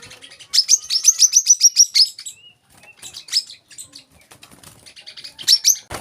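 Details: High, rapid trill of an olive-backed sunbird (kolibri kelapa), a fast string of sharp notes lasting about a second and a half, then scattered softer chirps and a final short burst.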